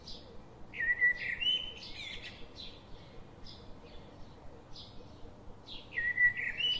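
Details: Bulbul nestlings in the nest beg while a parent feeds them, giving high, thin chirps and short rising squeaks in quick, uneven bursts, loudest in two clusters, over a faint background hiss.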